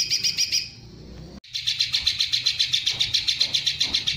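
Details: A greater green leafbird sings its long-shot 'tembakan panjang' phrase with kingfisher-style roll shots: rapid high notes, a silent gap near one second ended by a click, then the quick rhythmic chirping returns steadily.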